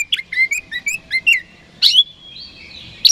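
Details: Lure song of an oriental magpie-robin, used to make rival birds respond fast: a rapid chain of short chirpy notes, then a loud burst leading into a long wavering whistle.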